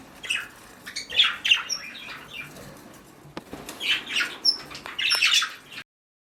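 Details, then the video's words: Nesting mother budgie, captive: scattered thin chirps and rasping squawks in two loose clusters, quieter stretches between them, and a sudden cutoff to silence at the end. "Momma Budgie On Duty"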